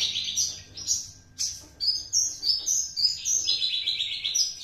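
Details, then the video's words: A two-month-old juvenile Javan Horsfield's bush lark already imitating its master song: a rapid, varied stream of high, thin chirps and short trills, some notes sliding up or down, bursts at irregular intervals, with faint low background hum. "branjangan java usia 2 bln sudah mulai membawakan materi masteran nya"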